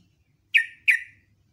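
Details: A sooty-headed bulbul sings in the morning in the ngecruk, nembak style, giving two loud, explosive notes about a third of a second apart. Each falls quickly and fades in a long trailing tone, with near silence around them.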